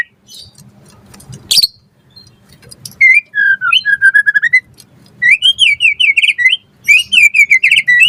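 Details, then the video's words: White-rumped shama singing vigorously as a lure for other shamas: after a quiet start and one sharp burst, clear whistled phrases give way to rapid repeated looping notes, fairly steady and bright. "Pancingan Murai Batu Gacor Auto NYAUT cepat Bunyi"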